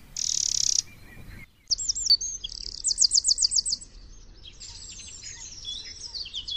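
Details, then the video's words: Free-living Eurasian wren singing: a brief harsh buzz, then a loud, very high song with a fast rattling trill of repeated notes in the middle, ending in tumbling twittering phrases. "chants et cris du troglodyte mignon- HD/ calls and songs european wren"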